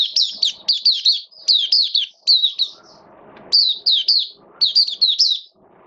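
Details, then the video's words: Oriental white-eye singing on 8 October 2022 amid rainy weather: steady series of high, rapid chirp clusters repeated about every half second, with a brief pause of low noise mid-way. "Mata Puteh Buka Sing Raja"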